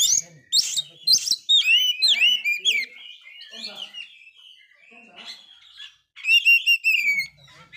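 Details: Kacer, Oriental magpie-robin, failed moult yet highly vocal, recorded to stimulate depressed birds: harsh opening bursts, then tumbling whistles and chatter, a quieter stretch, and a loud clear whistled phrase near the end.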